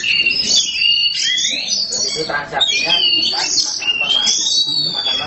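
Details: Kept Oriental magpie-robin (black kacer) in loud continuous song. Long clear whistles slide up and down, mixed with harsh buzzy notes, over murmuring human voices.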